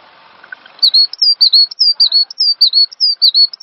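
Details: Cinereous tit song from a master recording for training songbirds: after a second of faint hiss, a rapid run of high, clear whistled notes, many dipping then levelling, delivered in quick two-note phrases without pause.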